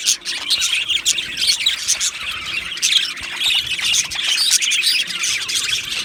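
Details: Chirping and singing from a colony of Australian budgies kept in an aviary; busy overlapping warbles and squawky chirps, briefly quieter at the start, then a constant chatter.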